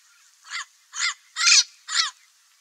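A parrot gives four harsh, raspy squawks, each about a quarter-second long and spaced roughly half a second apart, over a faint background hiss.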